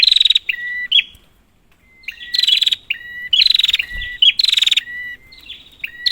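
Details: Prinia calls used as a lure for a silent bird: short harsh buzzy bursts alternate with flat, lower whistles, in uneven phrases separated by brief silences.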